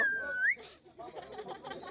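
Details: A pet common hill myna (Gracula religiosa), a talking bird interacting with a girl, gives one clear half-second whistle that dips slightly and then slides upward, followed by soft room noise and murmuring.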